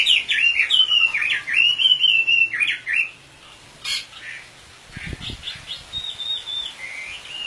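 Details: Oriental magpie-robin (wambi) giving fast, lilting whistled notes that swoop up and down for a few seconds, then falling quiet to faint scattered notes, knocks and background noise.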